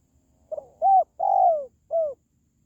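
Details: Spotted dove coo phrase used to encourage pet doves or attract wild birds: a light introductory note, a rounded coo, a long falling coo, then a shorter final coo.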